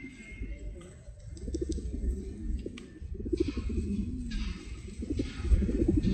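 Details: Pigeons cooing in soft, low, wavering phrases that rise and fall, repeated throughout over a steady low rumble, with faint hiss in the background.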